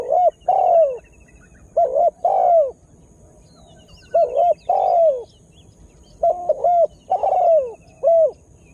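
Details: Spotted dove used as a lure call for wild birds; mellow cooing phrases of two or three notes ending in a longer falling coo, in bursts with pauses, faint small-bird chirps behind.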